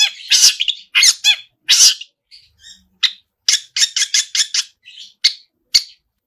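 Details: Long-tailed shrike song opening with loud harsh bursts, then soft notes and a fast run of sharp repeated chips, ending with isolated calls.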